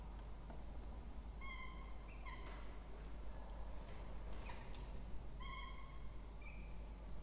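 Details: Two young Peregrine falcons in a water-tower nest box, Charles Sturt University, Orange, Australia, 20 October 2024, at feeding; short harmonic whining notes in pairs, with scattered clicks and scraping between, low background rumble.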